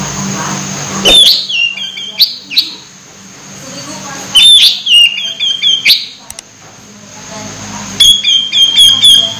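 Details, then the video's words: Orange-headed thrush near moult but still vocal: three separate bursts of sharp high whistles and clipped chattering notes spaced a few seconds apart, over a steady low background hum. "Anis merah hampir mabung masih gacor"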